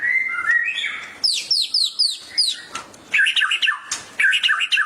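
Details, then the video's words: Excited song of a white-rumped shama reacting to a training recording: steady whistled notes, then a series of sharp downslurred high notes, followed by bubbling rapid trills repeated in short bursts. "murai langsung ikut gacor emosi mendengar masteran ini"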